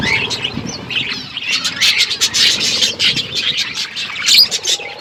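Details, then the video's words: Feeding parrots on February 25, 2024 give rapid, high twittering chirps with scattered squawks, tightly packed and continuous, one brighter rising note near the end. "Beautiful Parrot eating food birds chirping sounds"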